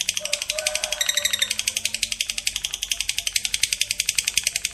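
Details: Fighter lovebird delivering its prized long ngekek trill, which prompts other lovebirds to join in: fast, even, rasping pulses about four per second, with a brief lower chatter near the start.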